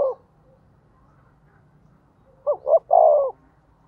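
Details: Spotted dove used as a lure bird to provoke others to coo, giving one hollow phrase: two quick notes and a drawn-out, slightly falling coo. A faint low hum lies beneath.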